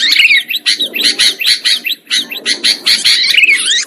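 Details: Lure sound of sooty-headed bulbuls for trapping: rhythmic bursts of scratchy chatter, with a bright, sweeping whistled note near the start and rising slurred notes at the end.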